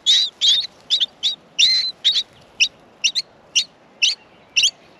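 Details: Australian miner nestlings calling from the nest while being fed; loud, harsh high squeaky notes in short bursts, about two to three per second, some doubled, over quiet background.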